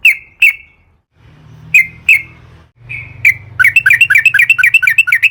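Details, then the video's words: Wild-style sooty-headed bulbul song meant as a lure for other bulbuls: scattered paired whistled notes with a faint low hum behind, building into a quick rolling chatter at the end. "KICAU trucukan gacor JITU NGALAS ROPEL PANJANG buat PANCINGAN agar burung trucuk gacor SEKETIKA"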